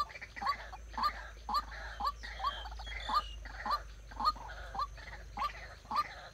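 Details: White-breasted waterhen decoy for bird trapping, producing clipped, upward-curling notes in a monotonous series almost twice per second, with a steady hiss and low rumble behind.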